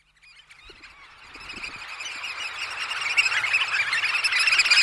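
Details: Eurasian oystercatchers at roost at Snettisham in the early morning, recorded close up. After a near-silent start, a dense flock chorus of shrill piping calls builds steadily, overlapping peeps growing louder to the end.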